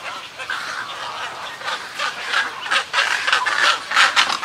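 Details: Snowy egrets in a colony, colony and greeting calls: quick runs of coarse, scratchy croaks that grow louder and more crowded toward the end, about three notes per second.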